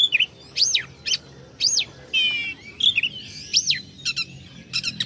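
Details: Kacer, the oriental magpie-robin, sings to provoke rivals: steep up-and-down whistled notes, a buzzy rattle, and closing rapid repeated high chips.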